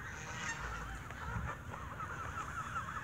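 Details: Several geese squabble over bread at an evening feeding, giving repeated hoarse, nasal honks that overlap continuously over low-pitched background rumble.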